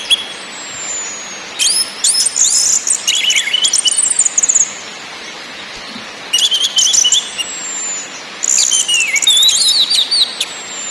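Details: Orange-headed thrush (anis merah) lure song for stimulating birds, in ngakrak, ngeplong and nyiul styles: three loud bursts of high, sweeping whistles, slurred notes and rapid chatter, separated by short pauses over a steady hiss.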